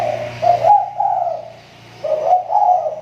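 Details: Spotted dove lure bird with an improving voice; close, husky coos running in two short phrases split by a brief pause, with a low hum present.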